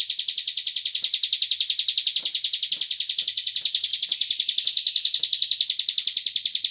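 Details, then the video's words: Lure sound of a cigun bird meant to prompt other birds to sing, heard as a continuous, metronome-like run of shrill high chirps several per second, faint low knocks underneath. "Pancingan burung cigun agar ikut bunyi"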